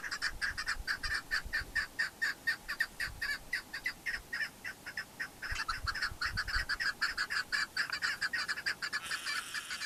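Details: Chukar partridge (keklik) recorded in the Pamir, Tajikistan, 2021: a long, rhythmic chorus of hoarse chucking notes, about two per second, continuing steadily with low background rumble and a brief hiss near the end.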